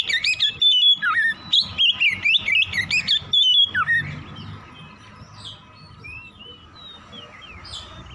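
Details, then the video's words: ['In the morning, an Oriental magpie-robin sings to stimulate singing in other birds: about four seconds of loud, rapid, pulsing whistled phrases with rising and dipping notes, then only faint far-off chirps and soft background noise.'] "PANCINGAN KACER PAGI HARI CEPAT NGROPEL BUKA PARUH"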